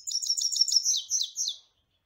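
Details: European goldfinch singing: a quick run of bright, high twittering notes with rapid trills and buzzy elements, sliding slightly lower toward the end before stopping.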